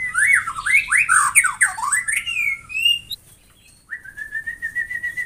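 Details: White-rumped shama delivering fast, looping whistled notes that rise and fall in zigzags, then a brief pause and a long steady series of clear, even notes.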